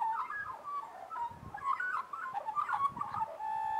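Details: A group of Australian magpies warbling together in harmony: a continuous, fluting, mid-pitched tangle of gliding whistles and quick note changes, ending in a steady held tone.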